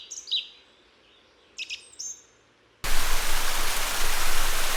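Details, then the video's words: Song thrush song in the Vallée d'Ossau, Pyrenees, contrasted with mistle thrush: a few short, bright whistled notes in quick clusters, then halfway through a loud steady rushing noise drowns everything out. "Et voici le chant de la grive musicienne."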